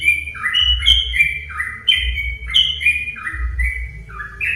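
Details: Song of a sooty-headed bulbul used to coax other bulbuls to sing: repeated bubbly phrases of short whistled notes, each dropping then rising, with a faint low hum.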